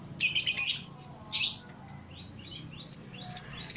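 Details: Lovebird giving a short ngekek, its chattering song: bright high chirps and buzzy bursts, with two dense scratchy bursts early on, then a string of quick thin notes.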